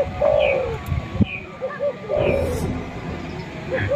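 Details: Spotted dove, a male calling, used as a lure to draw wild birds close; soft low coos in short phrases, a drawn-out note followed by brief notes, repeated about every two seconds over low rumbling background noise.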